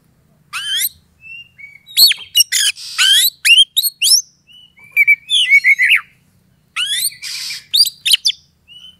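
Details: Oriental magpie-robin singing a provoking lure for a rival to fight: loud upslurred whistles and fast varied phrases in three bursts, with a rasping buzz and short soft whistles between, over a faint low hum.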